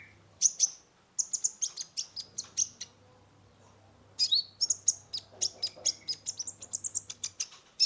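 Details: Kolibri ninja, the brown-throated sunbird, in lively full song used as a lure to stimulate stressed caged birds: rapid, high, sharp chirps in two bursts separated by a short silence, over a faint steady hum.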